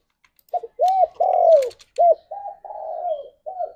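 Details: Spotted dove song from a pet bird: two phrases of short and long arched coos, the long notes smooth and gently falling, with quiet gaps between phrases.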